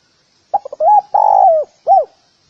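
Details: Spotted dove calling to lure other doves: a few short clipped notes, then a long rough coo falling in pitch, a pause, and one final arched coo. Clean, with no other sounds.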